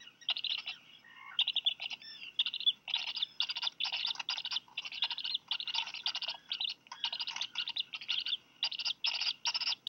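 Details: Black Guillemot chicks, hatched late June, each receive a fish from their parents at Seal Island National Wildlife Refuge, Maine, USA, 4 July 2020, afternoon. Scratchy high-pitched cheeps keep repeating, roughly two or three per second, in an unbroken run.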